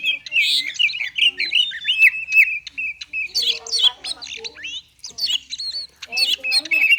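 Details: Konslet-style song of an oriental magpie-robin, played to coax reluctant magpie-robins into singing; a nonstop stream of rapid chirps, trills and short whistles that stays high and bright, with brief harsher squawks mixed in.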